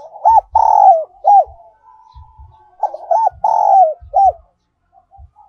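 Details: Spotted dove lure song, the whistle-toned giọng kim style: two phrases of rounded coos, a short hooked note, a long falling note and another hooked note, with soft low taps between.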